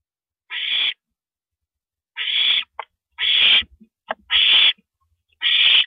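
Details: Owl recorded at 1:27 AM on April 9, 2012, as an owl gulps down a rabbit; loud raspy hissing screeches about half a second each, five in six seconds, with soft clicks and knocks between.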